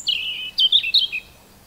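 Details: A robin's short song phrase: a high, drawn-out whistle followed by quick, sweeping, tumbling notes, all thin and bright, ending abruptly in quiet.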